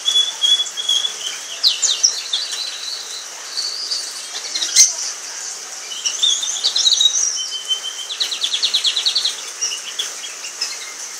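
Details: Orange frost canary from a pair, mixing whistled tones, scattered chirps and a fast buzzy trill, with a sharp click near the middle.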